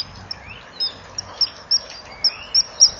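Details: Common kingfisher at a breeding-wall nest cam, 13 March 2014 at 17:10: the male is heard arriving with a fish, which he passes clumsily to the female; thin, shrill, piercing notes every third of a second, growing louder, over soft hiss.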